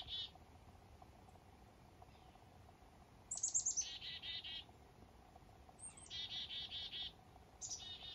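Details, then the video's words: Several calls from black-capped chickadees on a foggy northern morning: high descending chips each followed by a run of buzzy 'dee' notes, repeated three times with quiet gaps between. "Blackcapped Chickadees & Morning Fog"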